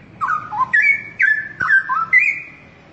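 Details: Loud, clear song of a straw-headed bulbul, a continuous string of fluty whistled notes that dip, jump upward and hold steady, delivered without pause.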